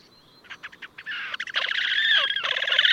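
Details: Recorded at Gavieze, Latvia, in May 2024, a wild Slavonian grebe starts with a few soft separate clicks, then launches into a loud, continuous, quavering trill that runs to the end.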